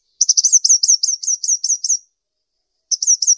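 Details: Sunbird, locally called kolibri ninja, giving a fast run of about ten sharp, high, twittering chirps over nearly two seconds, then a short silence and three more quick chirps; clean recording with no other sounds.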